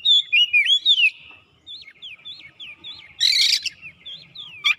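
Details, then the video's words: Oriental magpie-robin singing to seek an opponent, opening with loud bent whistles, then softer looping notes, a harsh grating burst and a final sharp note. "SEKALI MENDENGAR KACER LANGSUNG ON GACOR MENCARI LAWAN"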